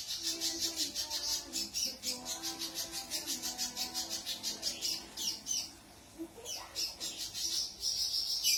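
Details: Spiderhunter singing vigorously, a fast run of high, sharp notes repeated about three times a second, a short pause, then a higher slurred note and more rapid repeated notes, with faint low tones underneath.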